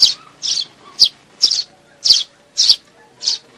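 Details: Sparrow call recording from 2019 used to lure birds for trapping: seven sharp, bright chirps spaced about half a second apart, with a quiet background.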